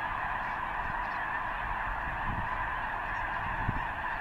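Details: Great flock of snow geese assembled near the eastern end of Potholes Reservoir ahead of their flight north to breed on arctic tundra; constant dense honking chorus, with scattered low thuds and knocks heard under the calls.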